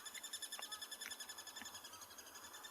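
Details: In South Africa on a morning game drive on 27 July 2020, near resting lions and a waterhole, a crested barbet not far off gives a faint, steady, monotone trill of rapid, even pulses, with a few brief chirps from other birds behind it.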